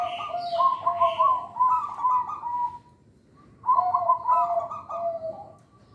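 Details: Local zebra dove song, used as a lure for untrained young birds. Two bursts of soft, bubbling trilled coos are heard, each made of quick rolling notes, with a short pause between them over steady background hiss.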